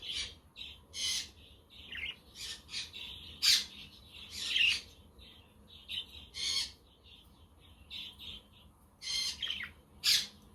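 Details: Budgerigars outdoors on a windy, sunny day, with a quaker parrot and a conure in the background, giving short, scratchy high chirps and squawks in irregular bursts, several birds overlapping.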